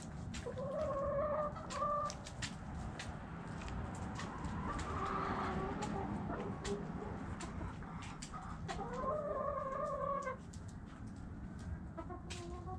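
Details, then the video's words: Hens clucking and squawking in long wavering phrases at start and near ten seconds, softer calls between, with frequent clicks and a low rumbling background. "Chickens Doing Chicken Stuff Sounds Noises Hens Clucking Roosters Crowing!"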